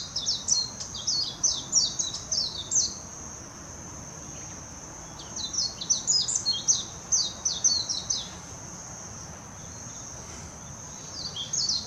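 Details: Warbling white-eye singing in Hashimoto, Wakayama, Japan, on 26 June 2021: fast, high, twittering phrases of jumbled notes lasting about three seconds, with pauses, over a steady high insect-like hiss.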